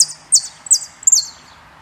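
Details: Three loud, high downslurred notes from a saffron finch, spaced about a third of a second apart, over a faint background hiss.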